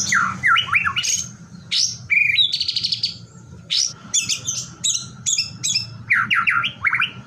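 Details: White-rumped shama singing to stir rival shamas into song: varied, loud phrases mixing swooping whistles, a buzzy rising trill and sharp high chattering bursts, separated by short pauses, with a faint constant hum behind.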